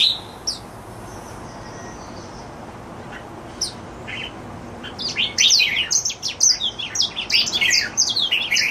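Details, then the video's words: A red-whiskered bulbul kept as a pet sings happily; a few scattered chirps give way after five seconds to a rapid, dense stream of bright, twittering whistled notes. "My Jambul happily singing ~ 夜莺高歌欢唱"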